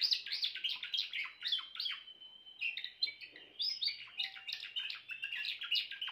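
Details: A grey Timbrado canary delivers continuous rolling song, quick chirped notes mixed with a held whistle near the middle, running for about six seconds.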